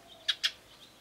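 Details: Eurasian tree sparrow at a bird table, calling while feeding on 24 May 2013: two quick bright chirps in close succession, a soft click-like pair.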